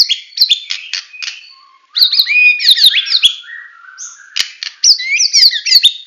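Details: White-rumped shama, Medan type, full tembakan singing: buzzy staccato notes open, then dense cascades of sweeping whistles and rapid chirps, a pure high note, and more fast slurred phrases.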